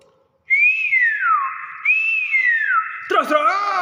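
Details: Nias hill myna giving two loud, clear whistles, each rising briefly and then gliding down before levelling off into a steady tone, followed by a harsh, rasping note with many harmonics.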